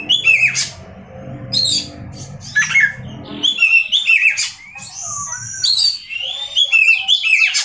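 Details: Oriental magpie-robin, a kept songbird, singing varied whistled and chirping phrases with rising slurs and high sharp notes; low background noise at first, then clearer song.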